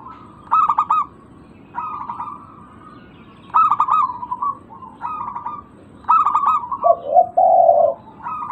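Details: Lure call of local zebra doves to break a bird's silence: five stuttering coo phrases at fairly even intervals, mid-pitched and pulsed, followed near the end by a lower, harsher held coo from a second bird.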